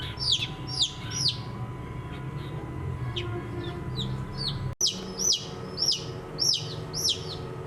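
Several chicks peep in quick, high, downslurred notes, often in bursts of two or three, over a steady low hum and background rumble.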